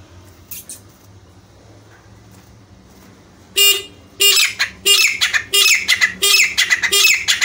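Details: Jungle francolin (teetar) call: after a few quiet seconds with faint distant notes, loud grating squawks start and repeat steadily, each burst harsh and ringing with a slight drop in pitch.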